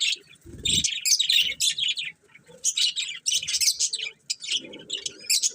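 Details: Colourful budgies give dense, shrill, twittering chirps in clusters separated by brief pauses, with faint low thumps underneath.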